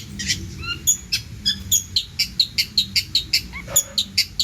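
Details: Long-tailed shrike (cendet) singing vigorously, billed as rich in varied phrases (isian): a quick, steady run of sharp, high chirps about five per second, with a few slurred whistles and a faint low hum beneath.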